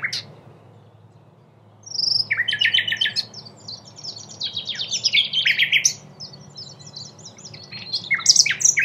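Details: A common nightingale (Luscinia megarhynchos megarhynchos) in Cattenom, France, in May 2016 sings a rich, varied phrase of rapid chirps, trills and whistled notes, shifting pitch quickly after a short quiet start; a low hum lies beneath.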